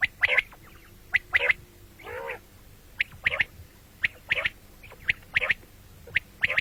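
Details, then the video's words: Common quail voice for morning and night: short, bright, clipped notes in pairs and triplets at irregular intervals, broken once by a drawn-out nasal, buzzy call. "бедана batair ki awaz quil sound beautiful morning and night بٹیروں کی سپیشل زبردست آواز صبح رات"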